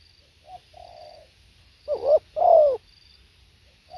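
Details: Spotted dove cooing: a faint note and a soft, steady hum precede one loud two-part coo, a brief rising note then a long, mellow, descending coo, followed by a faint note at the end.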